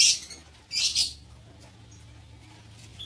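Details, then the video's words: Shrill, high squeaky calls from lovebirds in a breeding aviary come in two quick bursts, one at the start and one just before the one-second mark, followed by near silence. "Ternak Lovebird"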